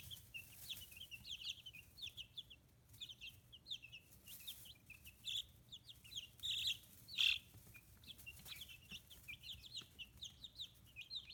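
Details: Free-range 15-day-old chicks with new feathers, Kitahiroshima, Hiroshima, Japan: thin, sharp peeps from several birds chattering continuously, a few louder piercing chirps standing out midway, plus soft rustles.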